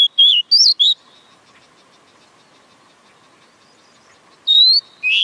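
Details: Oriental magpie-robin song of loud whistled notes, three slurred phrases at the start, then a long quiet gap before two more bright whistled phrases close the clip; a faint constant hum underneath.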